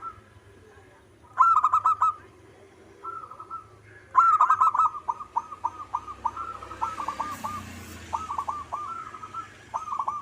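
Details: Local zebra dove repeating short stuttering phrases, each a cluster of fast, bubbling coos, loud bursts alternating with quieter ones over ten seconds. Faint hiss in the background.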